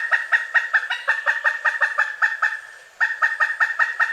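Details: Repeated loud kuk calls of a pileated woodpecker, a fast series that breaks off briefly near three seconds, then resumes at the same pace.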